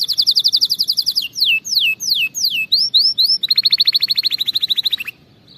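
Canary song: a rapid high trill of repeated notes, then a few loud down-slurred whistles, then another fast rolling trill ending abruptly.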